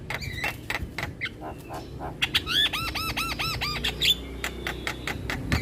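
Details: Full-repertoire Javan myna song for tutoring quiet birds: scratchy squawks, then a rhythmic run of about ten arched, looping whistled notes, then more harsh chatter over a low hum.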